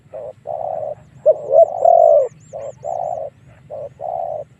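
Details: Decoy spotted dove whose call is used to draw wild doves in to fight. Steady series of deep, resonant coos alternating short and long notes in a regular pattern, with faint high clicks overhead.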